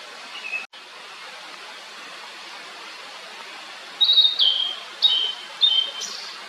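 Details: Blue-and-white flycatcher singing: after a faint whistle and a click, a burst of short, clear whistled notes around 4 to 6 seconds, each dropping in pitch, over steady hiss like rushing water.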